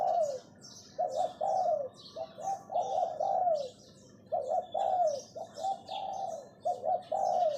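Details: Caged decoy spotted dove giving the 'phao' lure call: steady series of husky coo phrases, each dropping at the end, repeated with brief gaps, over busy high chirping from other birds.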